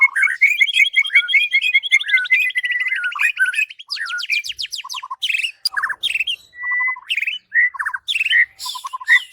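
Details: Master song of a white-rumped shama for training other birds: a long series of rapid trilled notes, then mixed sweeping whistles, short harsh chatters and flat sustained tones, delivered loudly and without pause.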